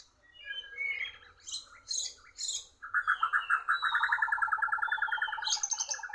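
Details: White-rumped shama in a singing contest against a bird from Borneo, losing the duel. High chattering notes and buzzy bursts give way to a long run of rapid, evenly repeated warbled notes.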